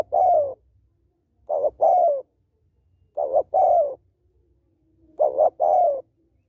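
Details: Female spotted dove calling to stimulate males: low, mellow coos in paired phrases, a short broken note then a longer falling coo, repeated about every two seconds in a quiet setting.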